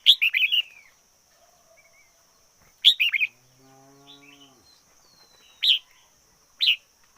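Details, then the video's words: Decoy red-whiskered bulbul singing short, bright whistled phrases at irregular intervals, four bursts in all, with a low drawn-out cattle-like moo between them. "Chim chào mào mồi hót căng lửa nhất 2021. Noog diab qhuaj zoo heev 2021"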